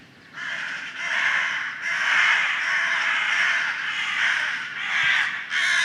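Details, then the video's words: Crows in the early morning producing an almost continuous chorus of loud, grating caws, overlapping birds, about one call per second. "Crows Crowing Very Loud Ambience Sound Effect"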